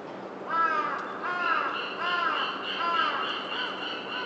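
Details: Rose-ringed parakeet in a prickly ash (karasuzanshō) tree: four loud, harsh, arched screeching calls, one roughly every 0.8 seconds, over a steady background hiss.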